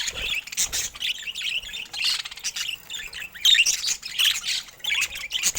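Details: Pet budgerigars giving dense, scratchy chirping chatter: fast high twittering notes in irregular bursts, with brief pauses between flurries, and no other clear sounds.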